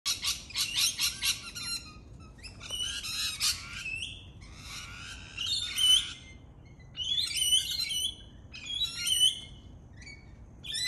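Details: Lorikeets, morning visitors perched on pear and apple trees in a South Australian backyard, screech in harsh, high, rasping bursts, several birds chattering over one another in quick overlapping squawks with brief pauses between flurries.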